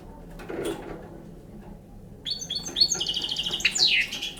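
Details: Young European goldfinch of the Balkan type singing; after a quiet start with soft low rustling, a burst of high twittering, trilled notes and a sliding whistle fills the last two seconds.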